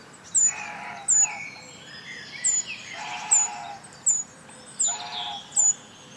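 Eurasian treecreeper giving very high, thin, short downslurred notes, about one each second, over a soft wash of background bird chatter and rustling.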